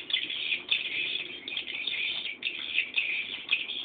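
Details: Swiftlet chicks begging while they wait for a parent to return: a continuous dense chorus of high, shrill buzzy chittering, pulsing in waves with brief dips.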